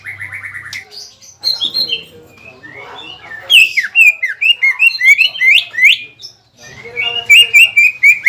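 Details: Greater green leafbird in provoking song to stir a rival back to aggression after moulting: a short steady tone, varied whistles, then a lively run of loud, sharply bending whistled notes and a final repeated phrase.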